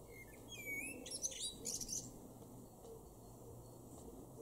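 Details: Male common blackbird in a garden in Weener, East Frisia, Germany, during May: one short phrase of descending fluted whistles followed by a dense flurry of high, squeaky twitters, then quiet background.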